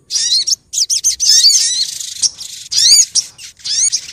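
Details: Sunbird (sogok ontong) female calling to males, a lure recording from Pronojiwo, Lumajang: dense, high, twittering phrases of quick slurred notes, nearly continuous, with brief pauses between bursts.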